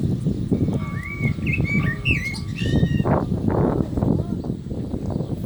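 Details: Common blackbird singing during the call to prayer. A phrase of rich, looping whistles and slurred notes is followed by a high twitter, all over heavy low background rumble and a faint steady tone.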